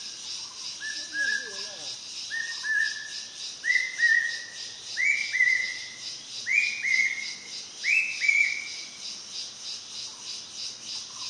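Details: Dark hawk-cuckoo in an escalating run of paired whistles, each couplet rising a little in pitch and volume, six pairs spaced about one and a half seconds apart, with a steady insect drone in the background.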